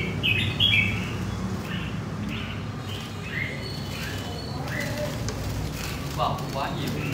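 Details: Wild-caught red-whiskered bulbul from central Vietnam giving short, bright warbled notes, loudest in the first second, then scattered fainter phrases over a steady low rumble of background noise.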